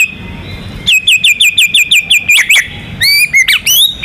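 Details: White-rumped shama, a prized contest bird, in full song: a rapid train of about ten repeated whistled notes, then sweeping rising and falling whistles and sharp upward slides, loud and clear over a faint low hum.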